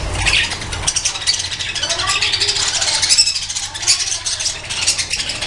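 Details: Captive budgerigars in a breeding colony, a dense, continuous mass of high, scratchy chirps and warbles from many birds at once, with a faint low rumble underneath.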